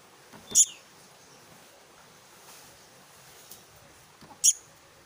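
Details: Black-naped monarch chick giving two brief, sharp, very high calls about four seconds apart, with faint soft background hiss between them.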